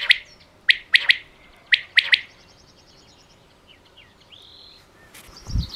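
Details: Pakistani quail, said to be female, calling in crisp, explosive three-note bursts, two phrases about a second apart. Quieter whistles and other faint bird sounds follow, with a low thump at the end.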